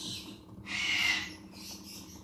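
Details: Blue-eyed cockatoo chick, hand-raised from hatching to weaning, gives one loud harsh raspy begging burst lasting under a second, with a faint whistled tone inside, over a constant low mechanical hum.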